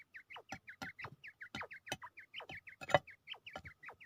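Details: A fighting quail in Pakistan, ready to fight, gives rapid, short, hooked chirps about four times a second, mixed with sharp knocking taps.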